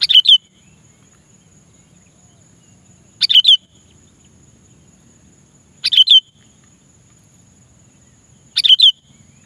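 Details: Sooty-headed bulbul (kutilang) calling to a rival, used as a lure call: short bubbly phrases of a few quick notes repeated about every three seconds, with quiet pauses and a faint steady hiss.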